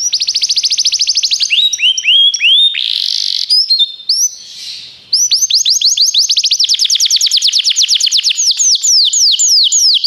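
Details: Belgian canary song for training, with a fast even trill, rising swoops, a brief noisy rushing interlude, then long runs of quick repeated downslurred notes.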